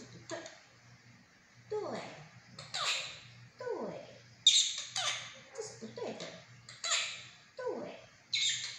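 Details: Pet monk parakeet chattering imitated speech: a steady series of short, harsh, downward-sweeping syllables, roughly one per second, softer than its louder phrases, in a quiet indoor room.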